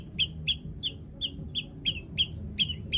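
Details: Long-tailed shrike in full song full of borrowed phrases, used to provoke other shrikes to sing; a steady series of short, bright squeaky notes repeated about every third of a second over faint background hum.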